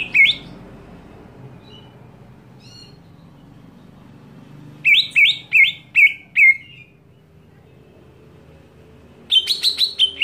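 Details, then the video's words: Greater green leafbird scream meant to provoke other leafbirds: a harsh opening note, a few faint high peeps, then a run of six loud, strident, downslurred notes in quick succession, followed later by a rapid chattering burst; low hum underneath. "JERITAN CUCAK IJO BIKIN EMOSI IJO LAIN"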